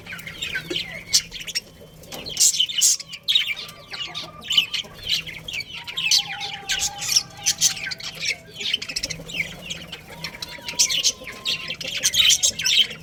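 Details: Breeding pair of budgerigars in a colony chatter continuously: rapid high scratchy chirps and squeaks in dense bursts, with faint steady tonal lines underneath and a low background hum.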